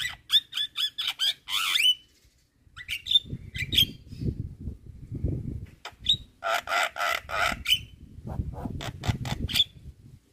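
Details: Jalak kebo (Javan myna) training song, 'gacor full isian': quick squeaky chirps and whistles, a gap of low rumbling thumps, then a dense harsh rattling phrase and more sharp whistled notes.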